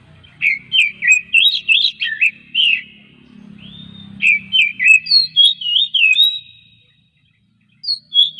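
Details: Oriental magpie-robin song, played to coax other magpie-robins into singing daily: bursts of clear, looping whistled notes rising and falling between phrases, rapid series of about a dozen notes, pauses of a second or two between bursts, faint low hum beneath.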